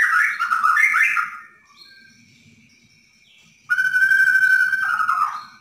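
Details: Borneo white-rumped shama singing a "dar der dor" master song meant to stir a caged shama into singing: a jumbled burst of warbled whistles, a long soft pause, then a sustained bright whistled phrase.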